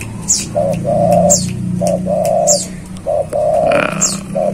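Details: Spotted dove singing freely outside its cage: mellow mid-pitched coos in short-long pairs, repeated steadily, with faint high chirps from other birds and a low background hum.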